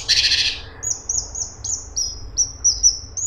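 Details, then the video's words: Straw-headed bulbul (cungkok) in lively song: a broad harsh burst opens, then a run of about eight clear, high, slightly falling whistles in quick succession. "Cungkok super gacor besetan rapet"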